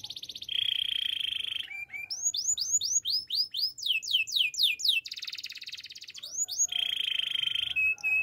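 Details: Song of a male canary: a rich rolled trill, a quick sequence of falling whistled notes, a buzzy fast trill, then the rolled trill returns, with short clear whistles between phrases.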